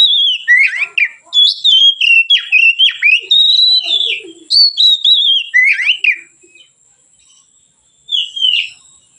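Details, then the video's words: Relaxed ngeplong song of an Oriental magpie-robin (kacer), played as a lure and tutor for other birds; dense run of loud clear whistles, downslurs and quick trills for six seconds, then near silence and one final phrase. "suara Kacer ngeplong santai, pancingan / masteran Kacer"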